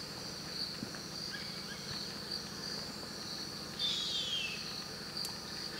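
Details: Single thin, descending whistle from a female harpy eagle calling for the male at the nest in Carajás National Forest, Amazon Forest, partly masked by a dense, shrill insect chorus.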